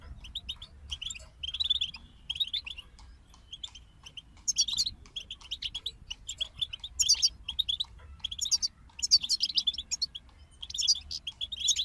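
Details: Goldfinches in a group sing softer, spaced twitters that swell into brighter jingling trills later on, over steady low background noise.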